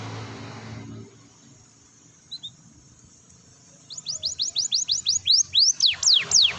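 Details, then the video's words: Canary singing vigorously, a recording meant to prompt silent canaries into song: near-silence with a faint low hum, then a fast series of high descending whistled sweeps speeding into a rolling trill over the last three seconds. "kenari gacor || pancingan kenari macet bunyi"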